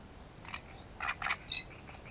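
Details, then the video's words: Great reed warbler song from Grachevka, 17 June: a few soft grating notes, then two loud croaking bursts and a sharp high note, with faint thin whistles in the background. "Камышовка Дроздовидная"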